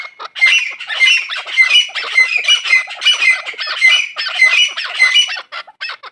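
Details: Farm-raised chukar partridges calling in a dense, harsh chorus of squawky notes, overlapping bursts about twice a second with a thin sustained tone running through.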